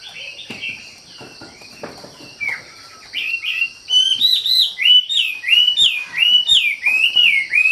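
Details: Wambi in full song: a quiet, scratchy opening, then louder repeated arched whistles rising and falling, several each second, with high thin overtones.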